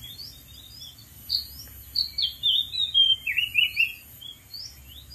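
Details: From a dead tree in the wild, an Oriental magpie-robin sings a lively sequence of clear whistles and twittering notes that tumble downward in pitch, building in loudness mid-phrase, against constant high-pitched insect buzzing.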